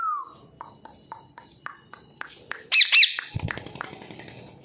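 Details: Pet parrots kept indoors at home for two years, some talking and some learning to talk; a falling whistled note, a run of sharp clicks, then a loud harsh double squawk, with room noise after.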